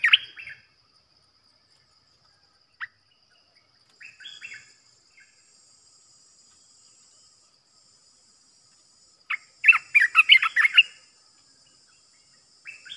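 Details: Bulbul decoy for trapping. A short chirp opens, followed by scattered faint notes and then a loud one-second burst of tumbling, chattering whistles. A faint steady high hiss runs underneath.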